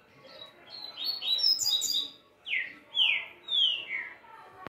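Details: Green-winged saltator with jumbled whistled notes at first, then three strong downward-sliding whistles spaced about half a second apart, over a faint background hiss.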